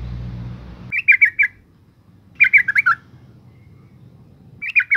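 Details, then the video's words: Yellow-vented bulbul female calling to provoke males, heard as three clipped bursts of three to four throaty bubbling notes, the middle one ending on a lower note, after a short low rumble at the start. "suara panggilan burung trucuk betina gacor NGALAS pancingan TOP trucukan jantan stres - macet bunyi"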